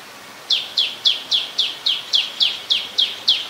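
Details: Black-collared starling, also called Black-collared myna, recorded in Ubon Ratchathani, Thailand, on 10 November 2021: ten sharp, high, down-slurred chirps repeated evenly about three times a second, loud against a quiet background.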